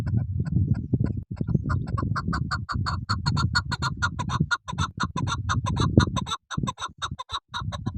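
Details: Female chukar partridge calling, a hunter's double call: rapid, regular harsh clucking notes, roughly four to five per second, with a brief break near the start and mid-clip, over a steady low rumble.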